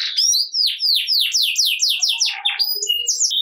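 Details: Canary in full ngerek song, offered as a lure for reluctant singers: a run of rapid downward-slurred whistles repeated several times a second, then scattered high chirps and a short steady note.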